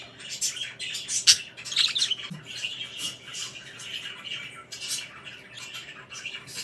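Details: Budgies chirp while kissing. They make a busy, scratchy chatter of squawks and high chirps, with a few louder, sharp notes standing out.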